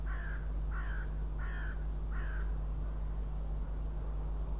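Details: Northern goshawk at its nest in Riga, Latvia, on 6 April 2016, the male guarding the eggs during incubation; four harsh, grating notes about two-thirds of a second apart, then quiet, over a steady low hum.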